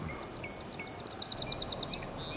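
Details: Tree Swallow at Sax-Zim Bog, northern Minnesota, on a cold spring morning (April 25, 2024) near nest boxes: a quick series of high, liquid chirps, about a dozen in under two seconds, over faint background hiss.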